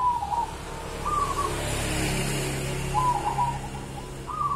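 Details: Local Javanese wild zebra dove singing soft rolling, trilled coos in short bursts, a pair of phrases then a pause, over a low steady hum and hiss.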